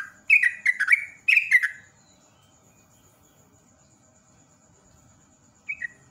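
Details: Yellow-vented bulbul giving bursts of 'ropel' rapid song, played as a lure for other birds: two quick phrases of liquid, tumbling notes, a long quiet gap, then one short bubbly note pair; faint steady high whine throughout.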